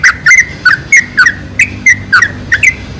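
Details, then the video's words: Bulbul lure of a sooty-headed bulbul, played to attract bulbuls: clear whistled, slurred two-part notes repeated roughly three times a second. "PANCINGAN SUARA TRUCUK TERBAIK"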